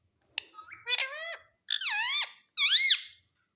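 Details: Pet ringneck parrot talking: three squeaky, speech-like phrases with sliding, wavering tones, each about half a second long, in a quiet room.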